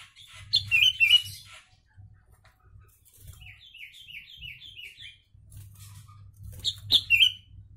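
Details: Sooty-headed bulbul singing a song filled with Javan myna phrases, used as a training master: bright whistled slurred notes, a quick run of six descending chirps in mid-clip, then another whistled phrase, over a low steady hum.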